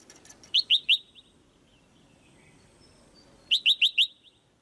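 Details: A female white-eye chirps rapidly in a cage to stir the male to sing more strongly. Two fast bursts of three to four sharp, evenly spaced chirps come about three seconds apart.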